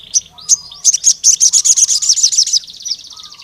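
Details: Wild crimson sunbird in lively voice, calling a rival male: a few sharp high chirps, then a fast buzzy trill of about a dozen rapid high notes lasting under two seconds, with faint lower whistles underneath.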